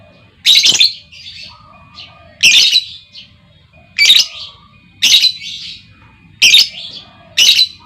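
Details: Female lovebird giving lure calls that set other lovebirds trilling; strident, rasping shrieks every one to two seconds, each trailed by fainter chirps, over a low hum.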